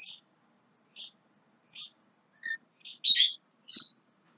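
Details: Young Javan myna giving short, harsh chirps spaced roughly 0.7 to 0.8 seconds apart, then a louder, buzzier burst near the end and one final note, with a quiet background.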